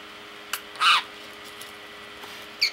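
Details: A male parakeet talking to himself gives one short, scratchy chattering burst, then a thin high chirp over a quiet indoor background.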